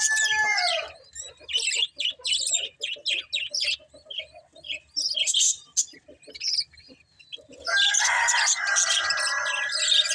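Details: Budgies chattering in a rapid run of short, buzzy chirps and clicks, several notes a second, ending in a loud, harsh burst of overlapping chatter.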